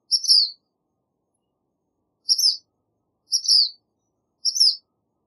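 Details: Black phoebe giving four sharp, high chipping notes with a faint thin overtone, spaced irregularly about a second or two apart, with nothing else audible between them.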